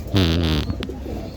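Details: A domestic pigeon sick with cough and flu, being treated with medicine, gives a low, rough, half-second coo with a breathy hiss, then a brief faint wheeze in a quiet room.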